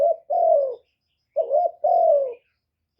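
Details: Decoy spotted dove cooing to stimulate keepers' doves, recorded live without noise: mellow low coos, a brief note then a drawn-out gently falling note, heard twice.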